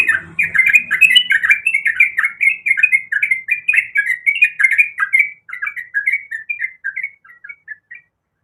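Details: Sooty-headed bulbul female calling the male: rapid run of bright, bubbly chirping notes, about three per second, steady for five seconds, then sparser, softer notes trailing off.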